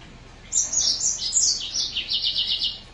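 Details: Green singer finch song: a quick run of descending high whistled notes flowing into a rhythmic buzzy trill of repeated pulses.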